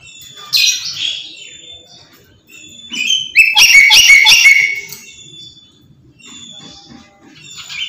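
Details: Black-capped lory, a talkative, pet bird, screaming nonstop: harsh, buzzy screeches with a loud burst of rapid rasping notes in the middle, plus softer whistled squeals before and after.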